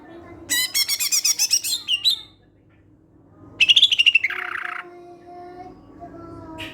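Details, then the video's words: Greater green leafbird song played to lure other leafbirds into singing: a rapid string of about a dozen crisp high pulsed notes, a pause, then a quick stuttered trill dropping into a harsh buzzy rattle. "Suara Khas Burung Cucak Hijau"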